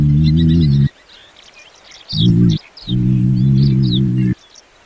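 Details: Common ostrich (Struthio camelus) gives three deep, resonant hooting booms, the last one longest, with faint chirps of small birds in the background.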